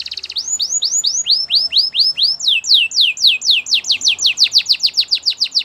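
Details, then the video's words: Canary song in a training recording: loud clear down-curving whistled notes repeated about three per second, then a faster run of similar swept notes. "The best canary singing video ever"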